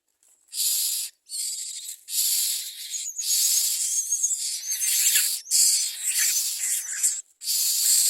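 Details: Common myna at the nest while adults bring food to their young: loud, harsh hissing bursts about a second long, separated by short gaps, with faint thin whistled notes threaded through the middle bursts.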